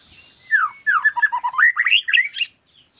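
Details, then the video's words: White-rumped shama in energetic gacor song: a fluid two-second phrase of slurred whistles dipping low then climbing high, clean and close with a quiet background. "Murai Gacor Full Durasi"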